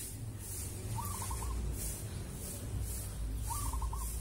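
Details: Zebra dove of local wild stock cooing as evening falls: two quick, trilled coo phrases roughly two and a half seconds apart, with faint pulsing insect hiss and low rumble behind.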